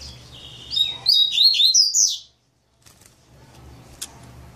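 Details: Maninho-style song of a double-collared seedeater: a buzzy drawn-out note leads into a quick, loud run of high, twisting whistled notes that rise toward the end, then silence and a single faint chip.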